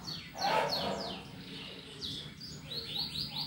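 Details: Canary singing vigorously in the ngetik style, used to prompt other birds to sing; a loud burst of rapid descending sweeps, then quieter repeated downslurred notes rising again near the end over a faint low hum.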